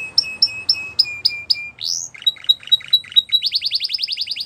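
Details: Training song of a Spanish Timbrado canary: clipped metallic notes repeated about four times a second, one rising swoop, then a steady run of short notes building into a rapid rhythmic trill.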